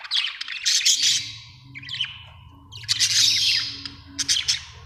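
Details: Budgerigar chirping in rapid scratchy warbles and squeaky notes, given in several bursts with brief gaps, over a low background rumble.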